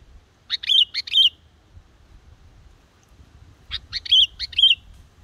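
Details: Yellow-vented bulbul, a young black-headed bird practicing song for luring wild birds into traps: two bright, bubbly phrases of rapid chirps and short warbled whistles, about three seconds apart, with soft low hum behind.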